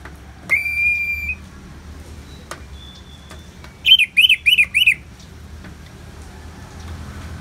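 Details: Orange-headed thrush in 'ngeplong' style, recorded with rain sounds as therapy: one long, steady, high whistle, a pause, then four quick arched chirps in a row over a soft steady background hiss.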